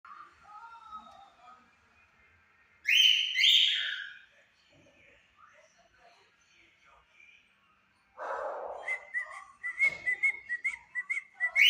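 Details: A pair of cockatiels, one white and one yellow, singing at 5 pm: soft whistling, then two loud harsh rasping calls, a pause, a buzzy burst, and a quick run of repeated high whistled notes at the end.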